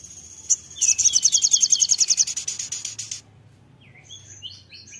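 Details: Crimson sunbird singing hard: a high, fast, buzzy trill of closely repeated notes runs for over two seconds. Faint thin, twittering notes follow.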